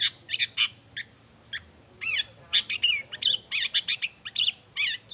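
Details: Long-tailed shrike singing hard, used as a lure to make others reply; fast, varied chattering with slurred, warbled notes running almost without pause.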